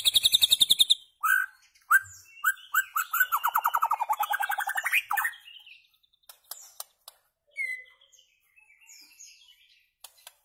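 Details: White-rumped shama song used to tutor goldfinches and their hybrids: a rapid, varied run of rich whistles and buzzy rattling trills in a long phrase, then sparse clicks and short chips.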